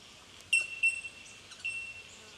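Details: Bell miner, Aboriginal name jumjum, recorded in Victoria, Australia, in March 2011. Three crisp, high, bell-like tinks come within about a second, the first loudest, followed by quieter chiming notes against a soft background hiss.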